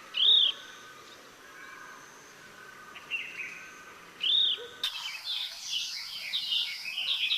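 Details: Chestnut-bellied nuthatch (Sitta cinnamoventris) recorded in Sattal, Uttarakhand, India: two strong arched high whistled notes about four seconds apart with faint softer notes between, then a busy chorus of other birds chirping.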